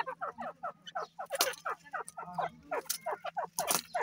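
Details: Breeding-season grey francolins calling in a steady run of short, down-slurred clucks spaced about a quarter second apart, with a few sharp clicks and a faint background hum.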